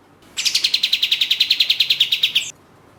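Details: Lure recording of a lively orange-spotted bulbul, known locally as katem, for contest birds: roughly twenty rapid, ringing high notes in a steady two-second volley with a slight upward flick at the close.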